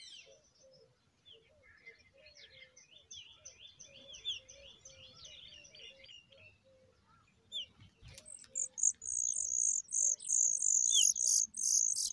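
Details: Hungry Familiar chat chicks being fed: soft scattered chirps and quiet lower calls give way to a burst of loud, rapid, very high-pitched chirping, repeated several times a second.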